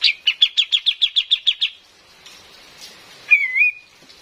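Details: Female Cream-vented bulbul used as a trapping lure: a fast, even series of about ten short chattering notes, then a faint pause and one whistled, wavering note.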